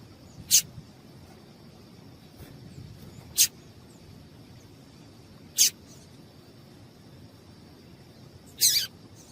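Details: A female double-collared seedeater call, played to set the male singing: four crisp, very high chips spaced roughly two to three seconds apart, the last one slightly longer, over a faint continuous high whine.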